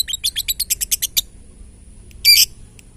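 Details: Lovebird in 'ngetik' style, used to provoke other lovebirds into singing: about ten quick high chirps in a rapid series, then a pause and one loud harsh screechy burst.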